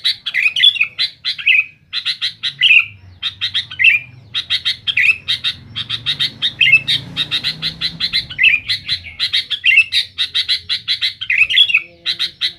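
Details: Rival-challenging song of a sooty-headed bulbul, loud and busy: a steady run of clipped chirps grouped into short phrases, each closing with a quick downward-slurred flourish, hardly pausing throughout.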